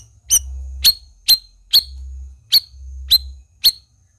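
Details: Black-crested bulbul giving sharp, high chip notes roughly every half second, with a soft low rumble running underneath between the calls.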